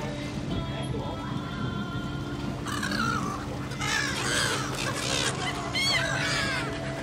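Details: Several seagulls at Rach Gia, Kien Giang, Vietnam give harsh, wavering, mewing calls that overlap in the second half, over a steady low mechanical hum and faint background voices.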